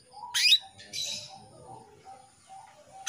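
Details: Female canary calling a male, giving short, loud, high-pitched chirps at about 0.4, 1.0 and 3.1 seconds, separated by quiet gaps with faint low tones.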